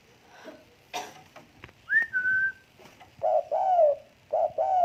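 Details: Tame spotted dove giving low two-part coos after a rising then level whistled note and some knocking sounds early on.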